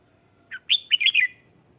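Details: Single phrase from a lure red-whiskered bulbul singing to call wild birds: a short lead note followed by a quick cascade of loud, slurred, chirpy whistles.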